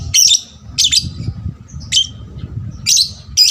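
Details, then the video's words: Young lovebird in lure song for other lovebirds; piercing, buzzy chirp bursts at irregular intervals of under a second, over a soft low background murmur. "pancingan lovebird paud rajin bunyi... merangsang lovebird lain lebih gacor"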